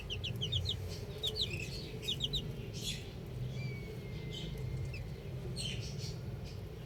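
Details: Baby chickens enjoying time outside, their bright high chirps coming in quick clusters of three or four notes, then a long thin whistle-like tone, over constant low-frequency background noise.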